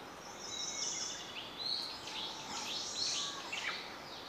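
Ijima's leaf warbler giving thin, high chirps and short sliding notes, several overlapping across four seconds over a steady hiss of background noise.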